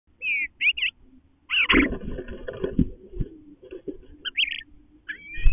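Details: Eastern bluebirds, a male and female, communicating up close around their nest as the male goes inside while the female waits outside; short warbled notes rising and bending, a bumping, rustling burst midway, then more soft chattered phrases.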